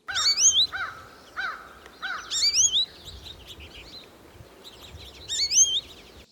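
American Goldfinch giving musical, rising 'zhree' notes, several short upslurred calls in quick clusters, clear and sweet rather than buzzy, over faint background hiss.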